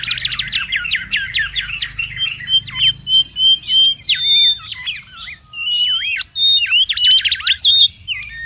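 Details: Mangrove whistler in the wild, a lure and tutor recording: a rapid trill of high chips, then level whistles, arching slurs and another quick chattering run near the end.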